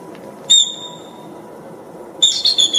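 A bald eagle gives a thin, high whistled note that holds steady for almost a second, then after a pause a quick burst of broken, squeaky chirps.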